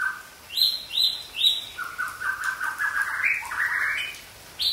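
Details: Young forest white-rumped shama, Aceh type, gives three quick high whistles, then a long stepped sequence of fluttering mid-pitched trills rising gradually before a final sharp note.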